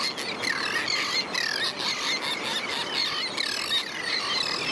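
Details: Royal tern juveniles persistently begging for food from parents in a mixed colony with sandwich terns on St. Pete Beach, St. Petersburg, Florida; dense, overlapping, high squealing cries that run without pause through the whole stretch.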